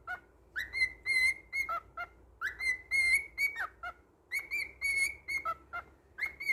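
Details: Whistled melody from a pet male cockatiel, long steady high notes alternating with quick lower blips, the phrase repeated about every two seconds over a soft background hum.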